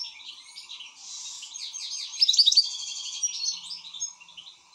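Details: Goldfinch, excited, giving a continuous buzzy, rattling twitter with a louder ringing flourish in the middle, fading toward the end over a faint hum.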